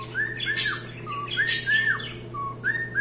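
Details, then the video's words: Short burst of cockatiel song: arched whistles, each ending in a dropping slur, alternating with two loud raspy squawks and a lower flat whistle. A faint background hum is present. "calopsita cantando"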